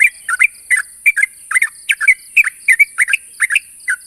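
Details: Challenge call of a sooty-headed bulbul toward a rival: paired bubbly notes, each a quick down-and-up slur, repeated steadily about every third of a second, with a faint continuous high hiss.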